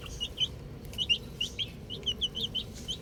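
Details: Little chicks playing with a ball give short, high, clear peeps in quick irregular bursts, several overlapping, over a soft low background hum.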